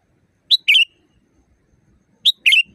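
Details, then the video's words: Sooty-headed bulbul, natural loud voice, meant for training caged birds: two matching phrases, each a sharp high note followed at once by a fuller warbled chirp, separated by a quiet gap. "Masteran burung kutilang di tempat raja kutilang. Suara keras fulll alam"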